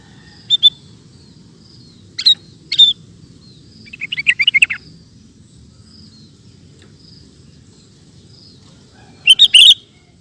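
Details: Sooty-headed bulbul (kutilang) recorded as master song for training cage birds: sparse single notes and a brief buzzy burst of chattering notes, ending with a loud bubbly phrase, with long quiet gaps and a low background hum.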